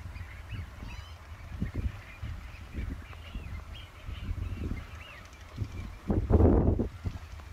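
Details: Eurasian wigeon flock wintering at Ouse Washes, UK, in October 2013: many overlapping whistled rising-and-falling calls, with loud low thumping wind bursts, the strongest near the end.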